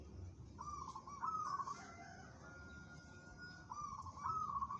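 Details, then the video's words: Local zebra dove praised as tough-minded and fit for contests, uttering rolling, stammering coos. A long rippling phrase is followed after a pause by another, over steady low noise. "perkutut lokal bermental baja, cocok buat lomba"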